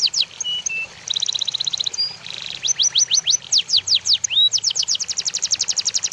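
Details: Tutor recording (masteran) of cucak jenggot, cililin and canary: scattered high chips and brief flat whistles, a fast stuttering trill, then a run of sharp falling whistles accelerating into a rapid series.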